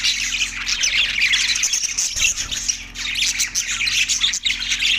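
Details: Budgerigars chattering loudly: close, dense squawks and scratchy chirps in an unbroken stream, easing briefly around the middle, with a faint low hum behind.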